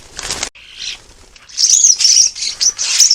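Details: Common starlings at a bird bath in an urban garden on the Isle of Wight, UK, caught on a trail camera while drinking and bathing: a burst of wingbeats, then harsh, scratchy, high chattering and squealing notes overlapping in quick bursts.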